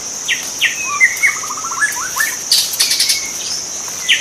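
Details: Wild white-rumped shama song of bright whistles, a descending stuttered trill and upward-swept notes, with scattered clicks and a steady shrill insect hum.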